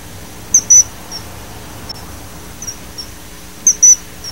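A common kingfisher gives sharp, very high, piercing whistles, two quick notes together, repeated about three seconds later, with fainter single peeps between over a quiet background.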